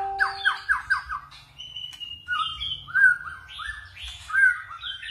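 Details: Forest-style white-rumped shama song with voice switching: four quick downslurred whistles in a row, then a long flat note and a series of rising, fluty phrases.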